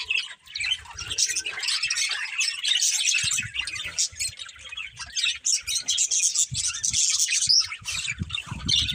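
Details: Several pet budgerigars, a budgie family, chirping together: continuous high, buzzy warbling chatter with sharp tweets, plus faint low thumps and rustling in the background.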